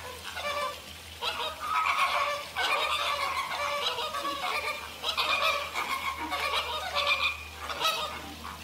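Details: American flamingo: a loud, busy chorus of harsh, goose-like honks and gabbling notes rising and falling in intensity, with a faint low hum underneath.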